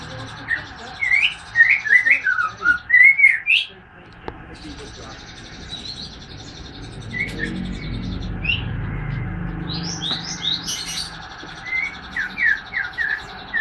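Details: Three-month-old white-rumped shama from Medan beginning to sing: bursts of short, sweet, chirped whistles in uneven phrases with pauses between them, over a constant low hum.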